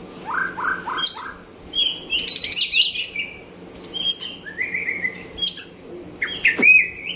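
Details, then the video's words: White-rumped shama from Nakhon Pathom, Thailand: three short rising whistles open the song, then varied high whistled phrases separated by brief pauses, with occasional sharp clicks. "นกบินหลาดง บินหลาซิ่งนครปฐม"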